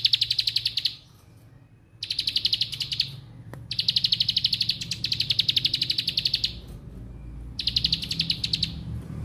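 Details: Rapid "bren" song of a Bar-winged prinia, with fast, rattling high-pitched trill bursts about one to two seconds long, repeated after brief silences, over a steady low background hum.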